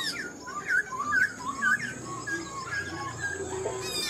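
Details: Black-throated laughingthrush, an old wild-caught cage bird in partial moult, sings a quick series of short whistled notes that sweep up and down, then softer trailing phrases, with room noise behind.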